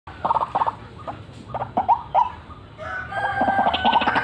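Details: White-breasted waterhen calling vigorously in cackling, rolling style: harsh nasal notes in short clustered bursts, pausing, then a denser run of croaking notes building at the end.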